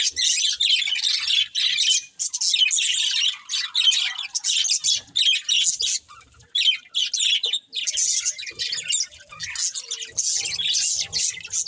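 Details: Budgerigars chirping in repeated bursts of scratchy, warbled chatter, each lasting about a second, with short silent gaps between.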